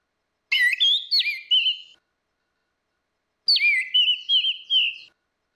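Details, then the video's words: Orange-headed thrush song for luring, female against male: two whistled phrases with rapid looping, warbling notes over a steady pitch, separated by a short silence. "SUARA ANIS MERAH BETINA VS ANIS MERAH JANTAN NGEPLONG || PANCINGAN ANIS MERAH MACET"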